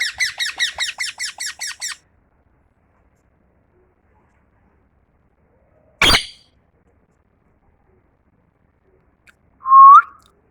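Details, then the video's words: Tame pet parrot gives a quick run of about ten harsh, harmonic chirps over two seconds, then silence, a single sharp click, and finally one short rising whistle near the end. "Parrot chirping"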